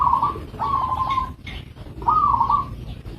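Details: A local zebra dove utters three soft, even coos with a gently quavering tone, separated by short gaps, against low-frequency background noise.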